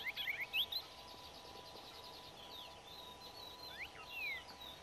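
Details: A Crested lark in Extremadura, Spain, in May 2005 gives a quick burst of bright chirps, then a few faint notes and one clear whistle that slurs downward, over a steady background hiss.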